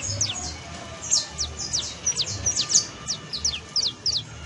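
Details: Canary on 31 December 2022 calling in clear, high, falling chirps, singly and in quick pairs, fairly evenly spaced, with low steady hum behind.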